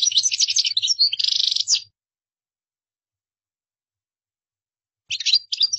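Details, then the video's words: European goldfinch singing a gdara-style song meant for copying by learning birds: a dense two-second burst of sharp chirps and a fast buzzy trill, a long silence, then a short twittering resumption. "تغريد مقنين قدارة"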